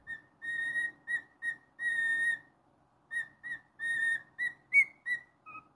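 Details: A cockatiel kept as a pet sings a tune of pure, steady whistled notes, long and short, near two kilohertz, with a brief pause midway and a couple of higher and lower closing notes.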